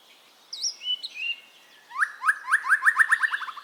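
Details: White-rumped shama singing, a recording meant to coax caged birds into song: a few clear fluting whistles, then a fast run of repeated rising slurred notes, about eight in quick succession, crisp and rhythmic.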